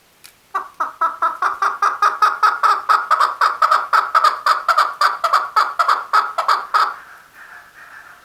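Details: Male chukar giving a long, steady series of throaty, pulsed clucking notes at about two to three per second for over six seconds, fading into a softer trailing note.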